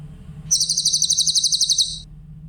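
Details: Grey-headed canary-flycatcher song used as a training recording for songbirds: a single high, rapid trill of bright, evenly pulsed notes lasting about one and a half seconds, over a faint low hum.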